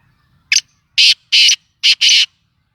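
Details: Black francolin, a Sindhi bird, gives a harsh, buzzy, grating call. One short rasp is followed by two longer ones, then a quick pair of rasps. Each note is loud and broadband against a quiet background.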